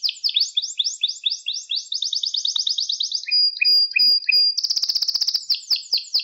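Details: Canary singing on a training recording for young canaries: rapid rolling trills, a thin sustained whistle with short lower notes, then a dense fast buzzy roll and bright chirping phrases.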